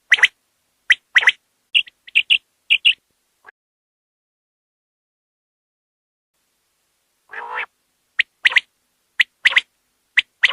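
Common quail giving sharp, clipped notes in quick groups of two or three, then a long pause and a brief harsher note before the clipped groups resume.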